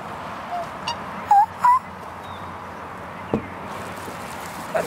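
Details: Black swan (Cygnus atratus) on a pond: two short, clear, slightly rising whistled notes in quick succession mid-clip, with a few fainter notes and soft clicks around them over a steady low background hiss.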